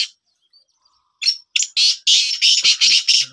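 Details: Pet black francolin in training breaks into a rapid run of rasping, buzzy notes, six or seven in a row after a faint start, with a brief human voice near the end.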